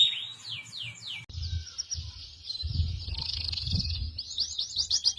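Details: Songbird in a cucak jenggot, cililin and canary tutoring mix: repeated descending high slurs, then a sustained high buzzy trill, closing with quick rising sweeps, with soft low thumps beneath.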